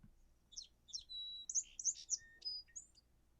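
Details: Song sparrow, a common eastern woodland songbird, sings two crisp, high introductory call notes, then a steady buzzy tone and a quick jumble of bright chips and trills, over a faint low background hum.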